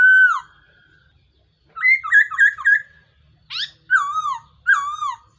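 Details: Black-throated laughingthrush lure call used in trapping. A descending whistle, a pause, then a fast burst of stuttered notes, a harsh rasp and two curving downslurred whistles.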